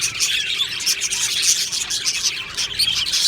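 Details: Short burst of budgerigar colony song recorded in an aviary on 22 June 2025: crowded high twittering and chirping from numerous birds, unbroken and lively throughout.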